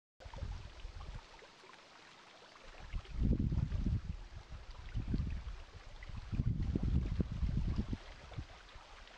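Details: Low rumbling water and wind noise swells and fades in waves, with no animal calls heard.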